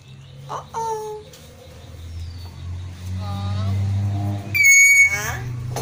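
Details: Talking common hill myna, one of four kept sibling birds, indoors: a bright harmonic whistled, speech-like phrase near the end, preceded by lower human-like voiced syllables and background hum.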